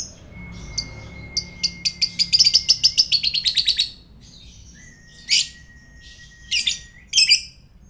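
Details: Lovebird sound used to provoke fighter lovebirds into singing, indoors: rapid series of sharp high chattering notes speeding into a quick run, with a thin steady whistle behind, then scattered loud chirps after a pause.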